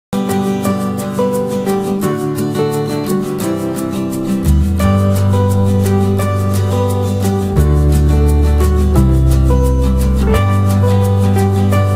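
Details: Rhythmic plucked-string music with a steady beat and deep bass notes plays throughout, with no animal sounds heard.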